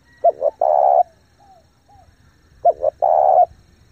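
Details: Spotted dove decoy giving fast, intense cooing to lure wild doves, each phrase two brief notes and one sustained coo, heard twice, with small soft whistled notes in the pause.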